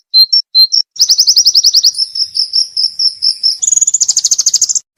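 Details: Pleci song with 'shots' for training songbirds: a few isolated high chips, then a rapid rattling trill of quick notes, a steadier pulsing buzz, and a final higher, faster trill.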